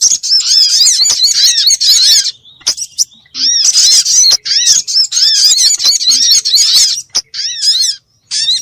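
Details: Lure recording of a sunbird meant to make birds sing. Long runs of dense, high twittering made of repeated arched chirps, breaking now and then for brief pauses before resuming.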